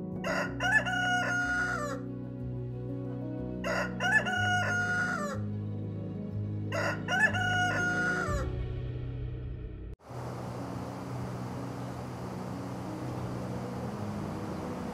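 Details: A rooster (Gallus gallus domesticus) crows three times, each a loud, ragged cock-a-doodle-doo, over a steady musical backing.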